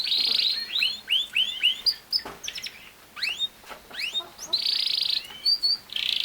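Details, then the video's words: Canary song running as a rapid string of rising whistled slurs and chirps that leads into dense buzzy rolling trills at the start and end, clear against a quiet background. "Canary Singing | The Best singing Canary ever"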